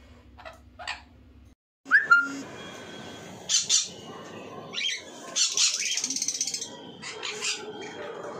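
Marigold lorikeet giving harsh, rasping screeches in four or five bursts, with a short whistled note early on and a low hum at the start.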